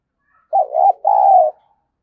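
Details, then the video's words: Cooing of a decoy spotted dove, played to stimulate and train other doves. One mellow phrase: a short wobbling note, then a sustained level coo, together about one second. Nothing else is heard. "Tiếng Chim Cu Gáy Mồi Dùng Kích Bổi Tập Mồi"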